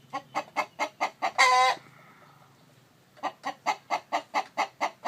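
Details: Steady clucking from a chicken at a nest with a hen on eggs, building to one loud raspy squawk, then after a silent second a fresh, even train of about ten clucks.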